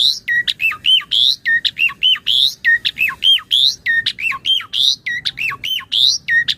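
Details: Asian pied starling song meant as a master for training other starlings: a rhythmic, tightly repeated phrase of clicks, a bright high note and a drooping whistle, cycling roughly once per second.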